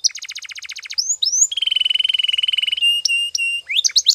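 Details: Canary training song for morning practice: a rapid buzzy trill of about twenty pulses, rising slurred whistles, then a long steady rolling trill, sharp chips and quick upward notes at the end.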